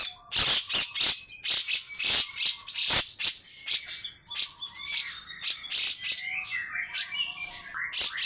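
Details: Long harsh rasping song of a grey-cheeked bulbul, meant to stir other birds into singing. Loud scratchy bursts repeat every fraction of a second, with thin whistled glides and steady mid-pitched tones between them.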